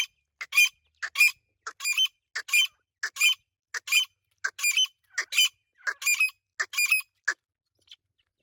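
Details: Irani teetar partridge calling loudly in clipped, sharp paired notes, repeated in steady bursts about every half second for seven seconds, with a quiet background.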